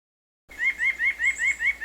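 White-breasted Nuthatch giving a quick run of nasal, slightly rising notes, about five per second, after a brief silence; no other sounds stand out.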